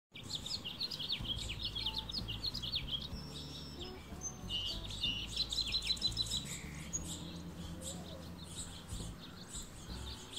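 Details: Close-up of an Anna's hummingbird perched alone on an avocado branch in a backyard, preening and fluffing its feathers; dense, rapid high chips and twittering notes, several per second, over a steady low background rumble.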